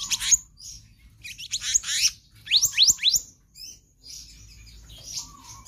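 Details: Black-naped monarch, 'konslet' song with full variations used to tutor other birds: scattered high chirps, then a tight cluster of three rising whistled sweeps, followed by thinner trailing twitters.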